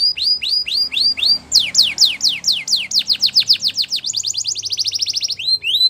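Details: Canary song described as singing in the wild, used for training young canaries: series of sharp upswept whistled notes repeated about four per second, shifting into faster slurred rolls and then a high rapid trill.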